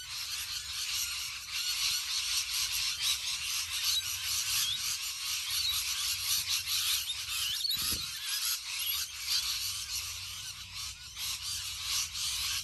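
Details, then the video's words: Rainbow lorikeets in a huge flock, a dense, unbroken wall of shrill, screeching chatter from many birds at once, high-pitched and constant for the whole stretch, with one brief low thump near the middle. "HUGE Flock of Rainbow Lorikeets"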